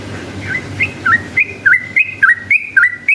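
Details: Yellow-vented bulbul in long, rapid chattering song used as a lure to provoke other bulbuls into singing: short, clear whistled notes around two kilohertz, each flicking down then up, repeated almost twice a second and growing louder.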